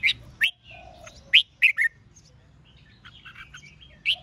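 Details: Red-whiskered bulbul singing in contest style to provoke wild-caught rivals: a few loud, sharp chirps spaced roughly half a second apart, then a softer twittering stretch and one final loud note.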